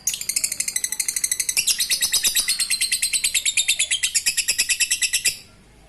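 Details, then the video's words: Lovebird giving its ngekek song, used to prompt reluctant lovebirds into singing: a long, fast, steady chatter of sharp high buzzy notes, about seven per second, for over five seconds before stopping abruptly. "Lovebird ngekek Receh Mantap Untuk Pancingan Lovebird malas bunyi"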